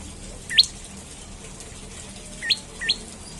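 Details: Olive-backed tailorbird recorded in the morning as a lure to get other tailorbirds singing: three sharp upward-sweeping chirps, one alone and then a quick pair, over quiet background hiss.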